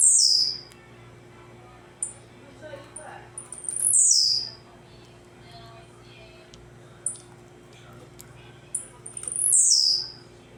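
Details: Tec-tec song of a blue-black grassquit, a tireless singer: three high downslurred buzzy phrases spaced roughly four to six seconds apart, with thin, clipped ticks scattered between them over faint background hum.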